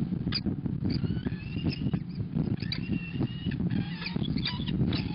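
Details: Peregrine falcon at a nest on 29 April 2021 as the female enters. Short squealing calls with stacked harmonics come in scattered bursts, mixed with scratchy clicks and scuffling over a steady low hum.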